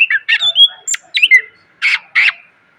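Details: Greater green leafbird song for training cage birds, full of fill phrases: short loud bursts of varied notes, slurred whistles and a high sharp note, then two harsher buzzy phrases after a pause, over a faint steady hum.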